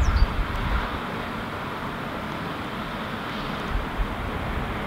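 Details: Steady low rumble of passing vehicles with broadband background noise and no clear animal voice.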